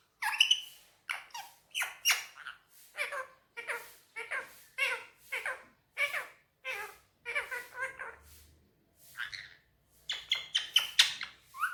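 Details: Indian ringneck parakeet kept as a pet, chattering in Urdu/Hindi on a table indoors: a quick, even string of short raspy speech-like syllables, about two per second, with a brief pause near the middle.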